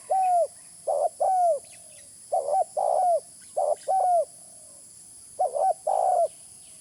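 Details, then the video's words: Lure recording of a spotted dove. Deep, soft coo phrases are repeated about every second, each with a falling, drawn-out final note. Gaps separate the groups, and a thin steady hiss sits in the background. "Suara pikat terkukur original"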